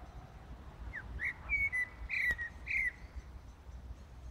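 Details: In Brussels, Belgium, before dawn on 15 January 2018, a common blackbird sings in darkness: a short phrase of clear, slurred whistles, some falling in pitch, capped with thin high squeaks, over a low steady rumble.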